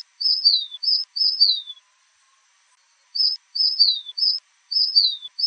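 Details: High, sweet descending whistles from a fulvous shrike-tanager of Brazil. The phrases come in bursts of three, with a silent gap of about a second and a half between bursts. The recording is clean, with no background noise.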